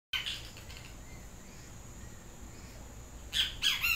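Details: Great Kiskadee, the yellow-crested benteveo, calling: a loud harsh note at the start, then a quick series of three shrill, strident notes near the end over steady background hiss.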